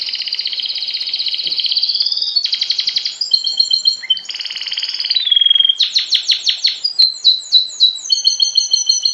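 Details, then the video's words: Canary singing during vertical song training, with a tutor bird placed below the pupils: a loud, fast series of rolling trills and buzzy tours that change pitch every second or so, ending in bright, rapidly repeated chirps. "دليل نجاح الطريقة العمودية في التلقام (كناري، مقنين، ألخ) - l'apprentissage vertical du chant"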